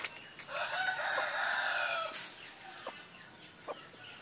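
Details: Laughing chicken rooster delivering a single long, raspy, drawn-out crow near two seconds, ending in a sharp click, then a few soft short chirps over background hiss.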